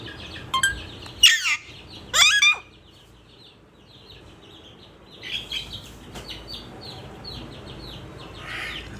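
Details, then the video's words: Captive parrot giving two loud, sharply falling screechy calls close together, followed by quieter chattering, scratchy notes and a brief squeak near the end against a soft hiss. "Raw parrot talking video talking parrot !!"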